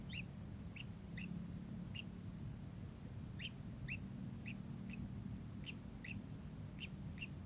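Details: Kingfisher giving a steady run of short, high, sharp chirps, roughly two per second, each a quick downward flick, against a continuous low hum.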